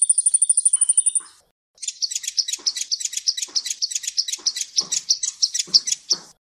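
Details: Sunbird song from a training recording for cage birds. A quick series of thin, high, even notes is followed after a short gap by a longer run of sharp, twittering chirps, about one and a half per second.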